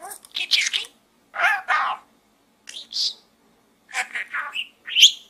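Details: Budgerigar inside a small gourd producing talking chatter, with short, mumbled word-like phrases repeated at about one-second intervals. The final phrase ends in a brief high squeak.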